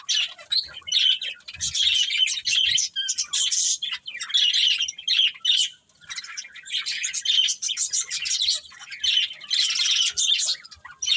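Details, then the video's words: Pet budgerigars chatter in long runs of high scratchy warbling and chirps, with a clear lull near the middle before the busy twittering resumes. "Cute Budgies Chirping Sounds"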